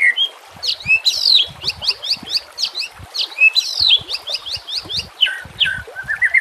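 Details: White-rumped shama song used as a lure and training recording for other shamas: rapid high chattering notes with sharp whistled sweeps, delivered in fast bursts.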